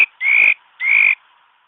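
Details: Trapping-lure song of a mi đất bird: two strong, slightly buzzy whistles, each sliding upward and lasting about a third of a second, separated by a short gap.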